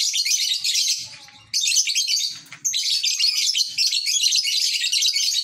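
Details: Lovebird kept at a rural home, heard while fish are watched in a pond; dense, continuous high scratchy chattering and twittering with brief pauses, plus faint low knocking sounds in the background.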